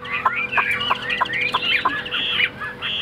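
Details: Caged, tame Chinese hwamei, a large male-type bird kept as a songbird in Vietnam, singing loud clear whistled phrases that rise and fall, with sharp slurred notes about every third of a second and a faint steady hum underneath.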